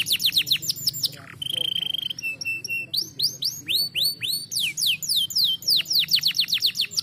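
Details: Canary song used to stimulate lazy canaries to sing: fast series of high downward-sweeping notes, a sustained buzzy trill, paired whistled notes, then rapid rising-falling rolls, repeated about four times per second.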